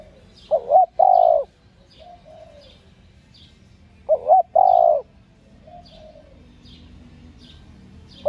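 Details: Female spotted dove call meant to stimulate males. Two clipped notes plus a sustained low coo, then a softer falling coo, the sequence repeating after three and a half seconds, with thin high chirps in the background.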